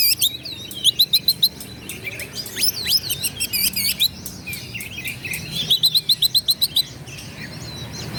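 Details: Oriental magpie-robin in fierce challenging song aimed at rivals: rapid series of sharp clicking notes, rising whistles and repeated fluty three-note runs, about three to four notes per second, dense and high-pitched throughout.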